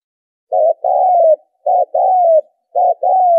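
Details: Spotted dove lure call for attracting birds to a trap: three low cooing phrases, each a short burred note then a longer smooth note sliding downward, spaced about a second apart, with no other sounds.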